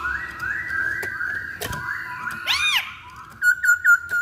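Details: Chinese hwamei song for luring other birds; a long sustained whistle with rising inflections, an arched slurred note, then four quick, emphatic whistled notes repeated evenly at the end.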